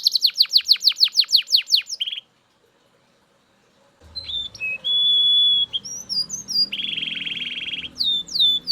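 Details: Loud Belgian canary song opening with a rapid series of downward-sweeping notes, a brief silence, then steady whistled tones, a long buzzy roll and sharp high chips.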